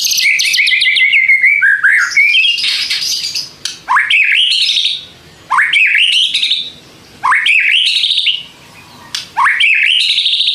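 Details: White-rumped shama singing as bait to make other shamas respond: a rapid chattering opening, then upswept ringing whistled phrases repeated roughly every one and a half seconds, with short silent gaps between them.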